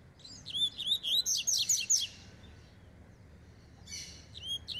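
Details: Double-collared seedeater warming up, fast and full of spirit: a quick series of high, buzzy, slurred whistled notes lasting about two seconds, then a pause and a softer, shorter burst of similar notes.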